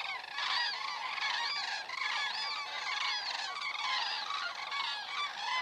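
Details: Common cranes flying over Estonia, caught by a crane cam on 27 September 2017 at 19:26: a flock's overlapping rolling, trumpeting calls with bright harmonic overtones, several birds calling continuously with no pause.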